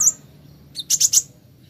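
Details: Plain flowerpecker, called kolibri ninja, in a recording for singing therapy: one very high thin chirp, a short pause, then three quick, piercing high ticks.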